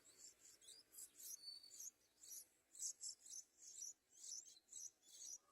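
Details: A young Yellow-vented Bulbul (Pycnonotus goiavier) chick begs its mother for food with high, harsh, raspy begging notes in short bursts, about two each second, over faint background hiss.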